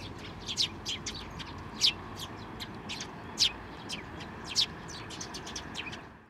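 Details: Sparrows at a Tenmangu shrine, 22 May 2024, with chicks being fed. Steady stream of thin, high chirps, several louder ones standing out about once a second, fading toward the end.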